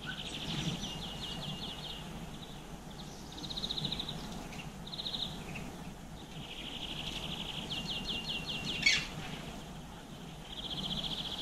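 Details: Garden birds feeding on seeds, with black-capped chickadee, blue tit and greenfinch present, captured by GoPro around 7 pm in April 2020; rapid ticking chatter bursts repeat across the clip over a low rustling background.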